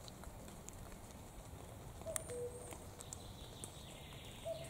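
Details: A single clear cu-coo from a common cuckoo near the middle, high note then lower drawn-out note. A second call begins at the very end, set against steady low rumble and hiss.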